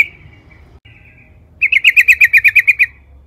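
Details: Sooty-headed bulbul singing loudly, a lure recording meant to provoke other bulbuls to sing: a short high whistle, then a quick run of about a dozen bright, even notes rattled off in under two seconds.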